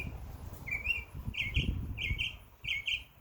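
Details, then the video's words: Summer backyard bird giving short flat chirps, one then three evenly spaced doubled notes, while low thumping noise sounds beneath them. "Birds Chirping Sound"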